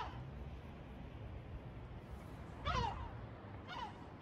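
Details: Gull calling in Batumi: one loud harsh call with a short falling tail, then a fainter second call a second later, over steady low background rumble.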